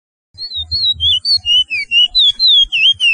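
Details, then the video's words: Whistled 'pije pije' song of the picolet, or Chestnut-bellied seed finch, from Suriname, used to train caged birds: a string of sliding, looping whistles, roughly four per second, some rising and some falling, with faint low thumps beneath. "BEST TRAINING SONG PICOLET - CURIO"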